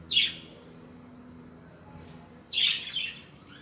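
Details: Budgerigar chirps recorded in 2021: a single bright, high descending chirp at the start, then a longer, buzzier twittering chirp after a pause of about two seconds.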